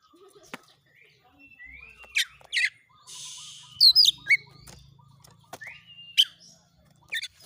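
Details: Oriental magpie-robin, described as persistent and fired up, delivering rapid 'shooting' song used as master training material to provoke other magpie-robins into fighting display: scattered sharp whistled notes, rising slurs and a harsh buzzy rasp, separated by short quiet gaps.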